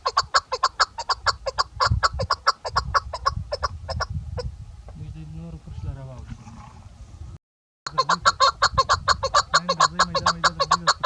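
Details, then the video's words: A female chukar partridge, used as a hunting call bird, gives fast, repeated harsh clucks, several each second, in two long bursts with a brief softer, murmuring stretch between them. "chakor ki awaz keklik sesi"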